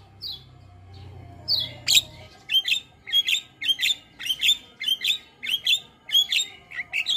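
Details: Starling song used as a lure and master recording for training cage birds: a steady series of harsh, squawky chattering notes, about two per second, each with a buzzy rising tail.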